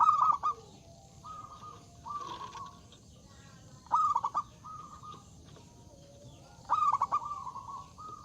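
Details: Zebra dove singing loudly to lure rivals into song. Three stuttered coo bursts come roughly every three seconds, each trailed by level humming notes, over faint background hiss.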